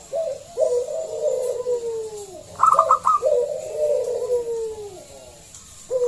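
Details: Local zebra dove with a big voice, kept to lure other doves into song; drawn-out purring coos falling in pitch, broken by a quick stuttering burst of higher notes.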